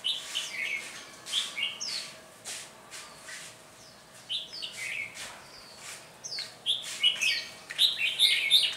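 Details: Red-whiskered bulbul decoy singing aggressively in a fighting contest to lure wild bulbuls into a trap on a cold windy day, 17 February 2020, Vietnam: bright, varied whistled phrases repeated in bursts, with rustling noise between.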